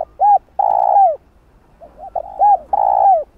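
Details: Spotted dove calling in the Vietnamese 'thúc gù' style, used to provoke wild doves for trapping. Two loud phrases, each a quick double note and then a long, mellow coo that slurs downward at its end, with a pause between the phrases.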